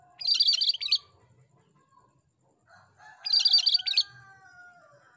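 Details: Repeated gacor song of a cream-striped bulbul: two bursts of dense, grating, high chatter about three seconds apart, with soft lower whistled tones drifting beneath and after the second burst.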